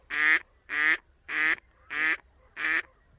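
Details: A female Gadwall gives five harsh, even quacks, about two per second, flat and monotone like a mallard hen's but rougher, with no real cadence; possibly an alarm call.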